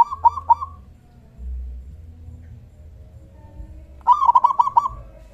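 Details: Zebra dove, local type, sounding its big 'kung' call as a lure for other doves. A brief pair of coos, then after a quiet gap a longer rattling series of quick notes.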